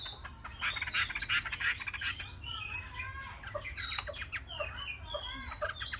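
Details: Chinese hwamei, three months old, delivering dense warbled phrases that begin in a fast rattling run, then move into looping slurred whistles and clipped notes, over low background hum.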